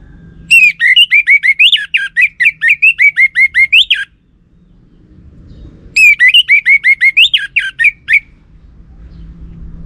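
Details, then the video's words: Orange-headed thrush song used as a lure that males are expected to answer: a long rapid string of loud, shrill, varied whistles and squeaky chirps lasting several seconds, a pause, then a second similar burst. "Pancingan Burung ANIS MERAH"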